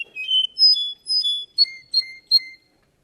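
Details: Russian canary at a singing contest giving clear whistled notes that step between pitches, followed by three evenly spaced sharp two-part notes dropping from high to lower, then silence.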